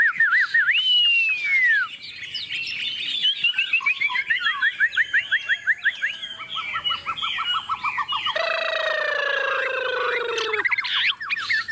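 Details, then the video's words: Chinese hwamei, tame bird singing confidently while set on a table: a long drawn whistle, then rapid chattering descending phrases, with a steady droning tone and background noise partway through. "Họa mi thuần xách tay đặt bàn tự tin hót"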